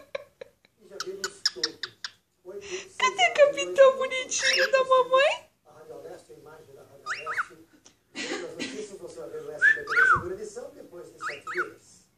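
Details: Pet cockatiel singing one of its typical songs and making noises while its owner talks to it: bursts of whistled, sliding notes, some rising and falling sharply, mixed with a person's voice and short gaps of quiet.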